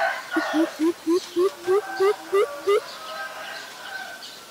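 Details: Greater coucal, a very common resident, recorded on 15 April 2022 in Ubon Ratchathani, Thailand, on a Nikon P1000. It gives eight low, hollow hoots, each upslurred, evenly spaced at about three per second. Fainter calls from other birds continue afterwards.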